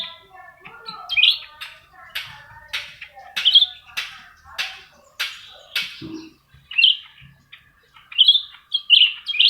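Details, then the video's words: Two black-crested bulbuls set against each other, both singing vigorously: bright whistled phrases rising and falling, repeated roughly every second with short sharp clicks and chips between them, clean background. "Adu Burung CUCAK RANTE...sama2 gacor gacor"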